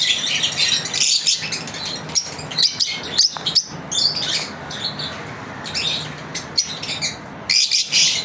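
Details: Chirping pet lovebirds during a daily routine: scattered piercing squeaks and short trills broken by brief gaps, some sharp clicks, over a low constant hum.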